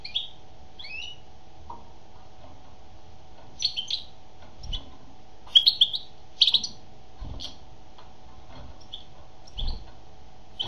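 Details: A female European goldfinch sings bright, twittering notes in irregular bursts, some liquid and tinkling, with a steady low hum and occasional knocks behind.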